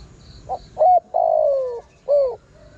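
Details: Spotted dove luring call, a single cooing phrase. A faint introductory note and a short coo come before a long, gently falling coo, and a shorter downslurred coo ends it. Soft high bird notes sound in the background.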